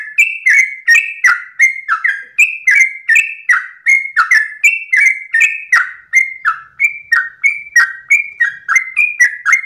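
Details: Trucukan, the Yellow-vented bulbul, singing a long ropel run at dawn: close-set bubbling whistles, roughly three a second, continuing without pause for nearly ten seconds.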